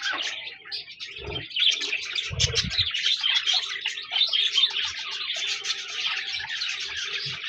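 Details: Continuous budgie chatter: many overlapping warbling, buzzy chirps from a group of budgerigars, with a few low knocks and bumps.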